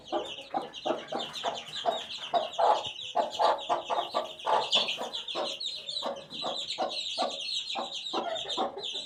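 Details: Domestic chicken chick, eighteen days old, with a dense stream of high peeps and a fast, busy series of broadband pecking-like pulses throughout.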